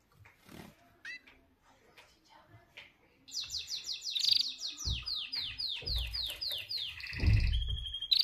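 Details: White canary pair, female and male, kept as pets: after a few quiet seconds of faint chirps, a loud fast trill of repeated descending whistled sweeps rolls on, ending in steadier buzzy rattles and a final sharp note; some low room noise.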